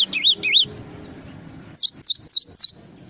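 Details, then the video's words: Java sparrow in a tutor recording for training songbirds, opening with two wavy, warbling up-and-down notes, a pause, then four crisp descending chirps in quick regular succession over a low hum. "masteran burung gelatik"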